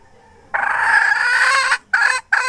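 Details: Hen from 2021 letting out a long, loud, rasping squawk over a second long, followed by two shorter harsh cackled notes, with faint low rumble beforehand.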